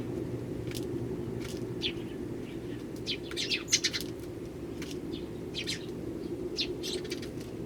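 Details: Eurasian tree sparrows, wild birds gathering in early January, with one starling also coming. Scattered, fairly soft chirps spaced irregularly, a brief cluster of louder notes midway, over a steady background hum.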